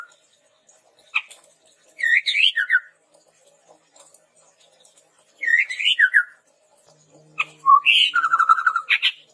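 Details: Red-rumped tepus song used as a lure and tutor for training birds: short upslurred whistled phrases repeated twice, then a longer phrase with a low note and a rapid trill.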